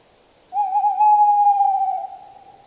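A tawny owl gives one long, drawn-out hoot, a steady mid-pitched note with a slight quaver, lasting about two seconds against a quiet background.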